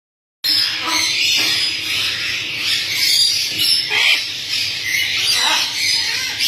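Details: Super tame hand-reared Yellow-collared macaw, newly arrived at a bird store, gives harsh, raspy squawks amid a continuous hiss of high chatter, with louder bursts near the fourth and fifth seconds.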